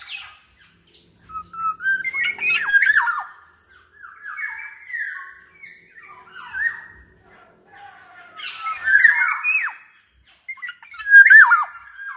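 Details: Black-naped oriole singing, used as a training and lure recording for orioles: scattered whistled phrases and rasping squawks, in bursts separated by short quiet gaps.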